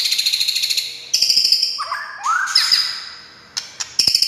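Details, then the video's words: White-rumped shama sound used to make other shamas sing: a fast high rattling series, a buzzy phrase, two low rising whistled swoops, then more high rattles. "SUARA kicau MURAI INI Buat semua jenis murai gacor,buat Murai DIAM Langsung NYAUT"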